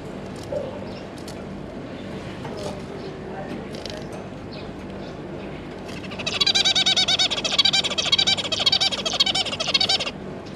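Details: Zebra finch pair with three juvenile offspring, 9 June 2022: six seconds of faint scattered calls, then a sustained four-second burst of rapid, nasal, buzzing chatter that stops abruptly.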